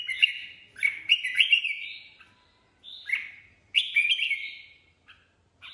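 A red-whiskered bulbul sings bright, liquid warbled phrases of quick rising and falling notes, in three bursts over a few seconds with short pauses between.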